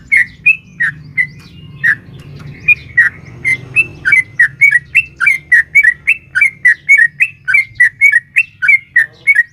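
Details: Sooty-headed bulbul female calling a male in the long 'ropel panjang' style used to provoke caged birds: scattered liquid notes that speed into a steady rapid chatter of bubbly chirps, about thirty notes in under ten seconds.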